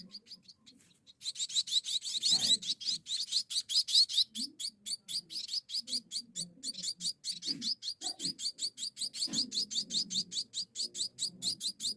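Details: Munia chicks begging while being hand-fed: a fast stream of sharp, high chirps, about two or three a second, with soft low rustling and handling noises beneath.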